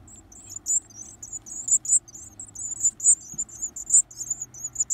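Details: Begging Varied tit chicks at feeding time: shrill, high squeaky twitters in quick pulsing bursts, roughly two surges each second, over a faint low hum.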